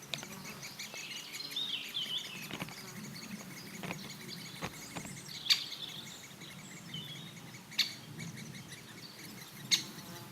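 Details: Great spotted woodpecker in Elatia Forest, Greece, giving sharp, loud single 'kik' notes every two seconds or so, with faint twittering from other birds and low background rumble.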